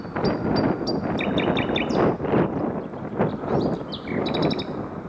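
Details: One of three nightingales singing near 7 pm between Hoek van Holland and Scheveningen, Netherlands: high piping notes repeated about every third of a second, then sliding whistles and a rapid rattling burst, over heavy rushing background noise.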